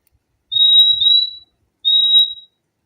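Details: ['Purple-throated euphonia (fim-fim) singing: a long, thin, steady whistle near one high pitch that breaks into a second note, followed after a pause by another shorter level whistle.']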